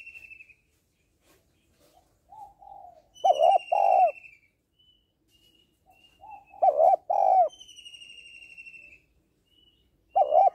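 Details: A female spotted dove calls to stimulate males, giving three loud, low double coos spaced about three to four seconds apart. Soft burbling notes and high, thin, downward-sliding whistles come in between.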